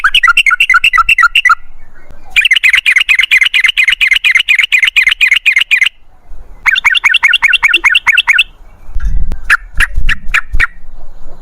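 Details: Yellow-vented bulbul (trucukan) in long 'ropel ngalas' song: three sustained bursts of rapid, rolling, chattering notes, the middle one nearly four seconds, followed by several spaced sharp notes over low rumbling.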